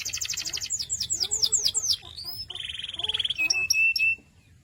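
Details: Canary song moving through tours: a quick high trill, slower down-slurred notes, then a fast buzzy rattle at a lower pitch and a few sharp short whistles before silence.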